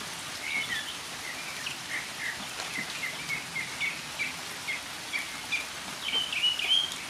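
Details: Northern mockingbird singing in the rain: a long run of short chirped and slurred notes around the middle-high range, varied phrases repeated rapidly, ending in brighter whistled notes over steady rainfall.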